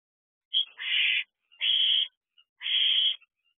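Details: Barn owl owlet in a nest box at night, 10:39 pm on 14 June 2023, holding a large rodent. Three harsh, raspy hisses, each about half a second long, spaced roughly a second apart, with a brief sharp note before the first.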